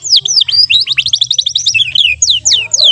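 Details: Practice song of a young AF canary: a continuous three-second stream of quick descending whistled notes in short rolls, a brief break, then a few louder sweeping notes.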